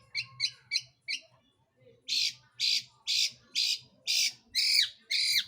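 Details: Long-tailed shrike song played to provoke other birds into singing: four quick harsh rasping notes, a brief pause, then a steady run of louder, broad grating squawks about every half second.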